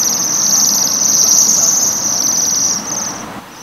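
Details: Waxwing trilling while feeding on rowan berries, a steady, very high, metallic buzzing trill lasting about three seconds over a low rumble of background noise.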